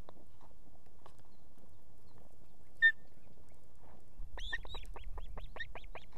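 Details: Female osprey at an Estonian nest with two chicks, calling the male to bring food at evening: after quiet rustling, a fast run of about twelve high, arched, whistled chirps with a sharp click just before.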